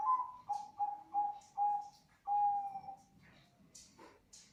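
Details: Zebra dove of the Bangkok type giving a clear series of short, low cooing notes that ends in a longer drawn-out coo, followed by a few soft clicks and quieter sounds.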